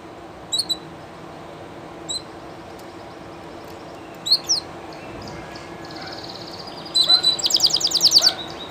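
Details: Llarguet español canary, recorded live, giving scattered high chirps separated by pauses, then a rapid, rattling high trill near the end, over a low steady background hum.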